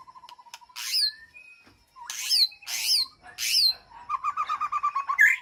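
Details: White-rumped shama calling to its flock in an aviary: soft repeated low notes, then three loud harsh upswept calls about half a second apart, followed by a rapid run of repeated notes and a sharp whistle.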